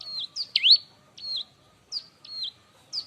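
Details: Bar-winged prinia in loud, lively song used to train and provoke young prinias: short high notes that dip and rise, one bright upswept chirp, with a faint steady whine beneath.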